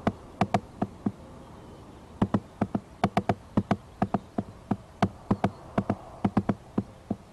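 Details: At a pond on 7 April 2012, a woodpecker loudly hammers on a nest tree near the microphone: sharp knocks, often in quick pairs or triplets, at an uneven pace with short pauses, over a soft low hum.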